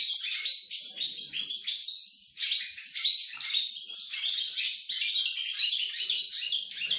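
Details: European goldfinch in full song, 28 November 2020, delivering a lively chatter of high chips, short whistled phrases and scratchy trills, with brief small dips between bursts.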